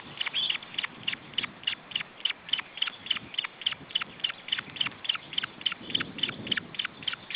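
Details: Osprey chicks at a nest in Estonia, June 2012, being fed: a steady series of short, high, thin notes, each falling slightly in pitch, repeated about twice a second, with faint low rustling beneath.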